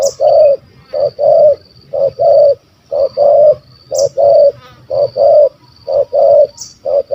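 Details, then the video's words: Big-voiced spotted dove with a stammering 'kuk 1 2' delivery, sought by hunters, cooing steadily in low mellow double notes roughly every second, with a thin constant high-pitched tone and brief sharp chirps in the background. "Bl Gagap Suara Besar Kuk 1 2"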